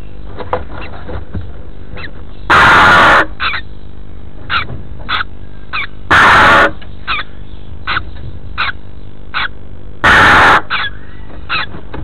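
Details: Female red-billed chough returning to the nest and discovering two chicks, 14 May 2014: three loud, harsh, piercing calls about four seconds apart, over frequent clicks and rustling in the nest.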